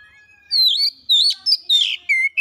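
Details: An oriental magpie-robin (kacer) in fast gacor lure song. A faint steady tone leads into loud rising and falling whistles, a buzzy jumble of notes, then clipped whistled phrases that end on a level note.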